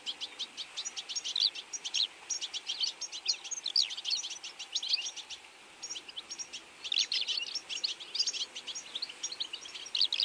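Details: European goldfinches feeding together in autumn, rapid bursts of high twittering chirps in dense runs with short lulls between.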